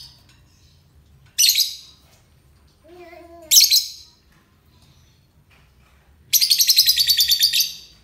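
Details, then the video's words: Lovebird of euwing type making two separate harsh chirps, then breaking into a rapid, buzzy, pulsing chatter that lasts over a second. "Lovebird euwing ngekek"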